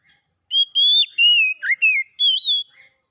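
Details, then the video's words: Oriental magpie-robin song, played to get a bird that has stopped singing to sing again: one loud phrase of clear, high whistled notes that slide up and down, broken into five or six bursts and ending in a short rising whistle. "KICAUAN PEMULIHAN KACER MACET CEPAT GACOR"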